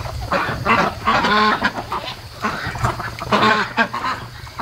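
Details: Night-time flock of raised ducks, day 73, awake at 3:00 AM; loud, drawn-out honking quacks rise in clustered bouts with pauses between, above a low background hum.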